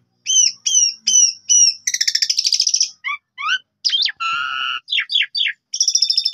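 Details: Asian pied starling lure song for training other birds: four downslurred whistles, a buzzy rattle, short chips, a harsh rasp and a closing trill.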